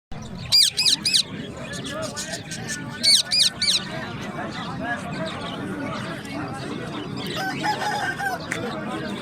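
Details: Talking parrots in a family group: two bursts of high, harmonic, squawky chatter with sharp up-and-down notes, the first near the start and the second around three seconds, over a steady murmur of background voices and noise.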